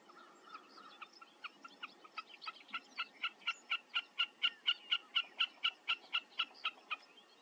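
Wilson's snipe gives a long, steady series of sharp, mid-high notes, about two per second, building louder toward the end. The background is quiet.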